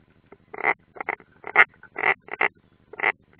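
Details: Nest of European rollers in the Ādaži training ground, Latvia, 30 June 2016, one bird unringed: soft, hoarse croaks in pairs and singles roughly every half second, with a constant low hum behind.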